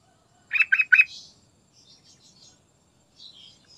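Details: Sooty-headed bulbul, a lively singing bird used as a lure to prompt other birds to sing: three quick, loud bubbly notes near half a second, then faint thin high twitters afterward.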